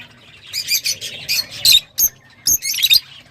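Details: A quick string of sharp, high lovebird squeaks and chirps, a few piercing whistled notes among them, delivered in short clipped bursts.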